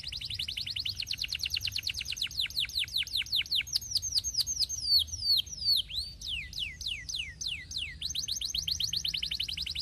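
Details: Canary performing steadily as master audio for training: continuous fast trills of sweeping notes, changing speed and shape in several phrases over ten seconds.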